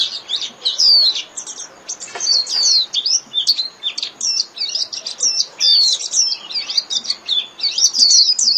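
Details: Dense, almost unbroken warbling of a Japanese white-eye in the líu style, played daily to train birds: very high, jittery twitters and slurred notes tumbling together with few pauses.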